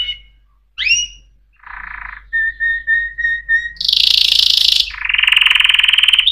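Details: Canaries sing a varied sequence: an upswept whistle, a buzzy low burst, five evenly spaced chipped notes, then a loud high buzzing trill dropping into a sustained rolling trill.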